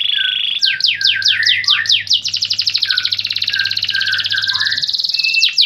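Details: Lively canary song: a short high trill, then a series of quick descending sweeps, followed by a long fast buzzy trill over scattered lower warbling notes, with a steady low hum.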